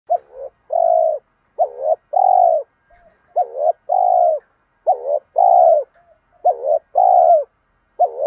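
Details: Spotted dove cooing, male and female voices, used to stimulate lazy caged birds into calling; clean phrases of a short double note followed by a longer level hoot, repeated steadily around 500–700 range with quiet silent gaps.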